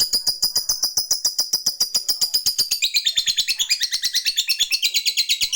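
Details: Fighter lovebird's long ngekek, used to provoke a rival into calling back: a fast, steady, high-pitched chatter that steps down in pitch partway through and keeps going without a break.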